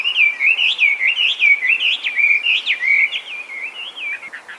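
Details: Loud, rich whistled song of a feral Chinese hwamei, a designated invasive alien species in Japan: continuous swooping, slurred notes rising and falling in a steady rolling stream without pause.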